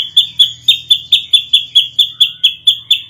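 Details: Ashy drongo in full song, delivered in the tight 'nembak rapat' style used as a training recording: about a dozen punchy, high chirps, each a quick downward flick, spaced roughly a quarter second apart.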